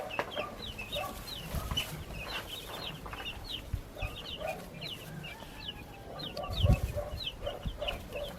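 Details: A brood of backyard chicks keeps up continuous shrill chirps, bright downward-sweeping peeps overlapping one another, along with faint lower clucking and light handling noise.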